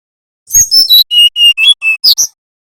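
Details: Nyiul-style phrase of a brown-chested jungle flycatcher from Bali, meant to help young birds learn: about nine clean whistles descending step by step, ending with two bright high chirps.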